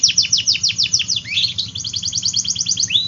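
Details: Canary singing quick descending chirps that shift into a fast even trill of short notes and end with a rising whistle, over a faint steady hum.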